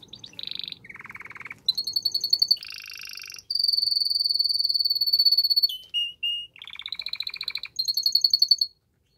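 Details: Canary performing strong courtship song to stimulate a female to mate: alternating buzzy low and high trills, a long steady rapid high trill for two seconds, brief whistles, then more rattling trills.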